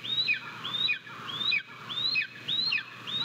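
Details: Japanese golden eagle chick at the nest on 22 May 2023, eating a bird its father has just delivered, filmed by live cam. Thin, high whistles rise then slide down in short notes, repeated about twice per second.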